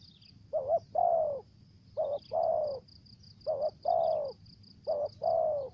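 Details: Spotted dove used as a lure, voice style called 'thổ dế' and 'mai rừng': four clear two-part coos, a short wobbling note leading into a longer mellow falling note, with a thin pulsing high whine behind.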